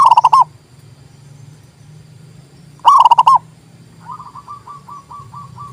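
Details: Local zebra dove cooing, used to lure wild doves and stir silent caged ones to sing: loud bubbling cooing phrases in two bursts, then a softer series of short rising coos, with a low hum.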